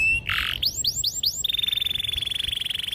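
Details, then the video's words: Canary in a rolling training song for young birds: a brief harsh note, a few quick rising-falling swoops, then a long, very rapid rolled trill of evenly repeated notes. "PANCINGAN KENARI GACOR PANJANG || PANCINGAN KENARI PAUD BELAJAR BUNYI || MASTERAN KENARI PAUD"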